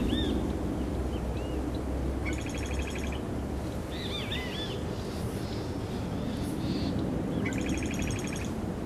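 Scarlet-headed Blackbird: short arched whistled notes and two brief buzzy, ringing rattles a few seconds apart, over a steady low rumble of background noise.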